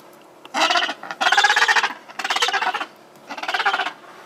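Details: Gentoo penguin chick at Brown Station in Paradise Bay calling for food: four bleating, rapidly throbbing bursts of roughly half a second each, separated by short pauses, loud and harmonically rich.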